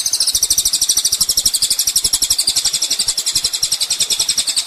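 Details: Kolibri ninja, the olive-backed sunbird, singing on a master track for teaching cage songbirds: one unbroken, thin, high-pitched rattling trill, beats coming about four a second, slightly wavering in pitch.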